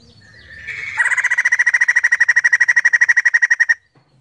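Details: Female white-crested laughingthrush giving a scream: a rising harsh note leading into a long, fast train of loud buzzy pulses, roughly eight per second, ending abruptly after about three seconds.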